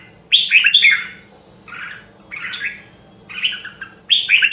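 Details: Caged red-whiskered bulbul from the rare Nam Đông, Huế line singing for voice training: four short rich warbled bursts spaced about a second apart over a faint low hum.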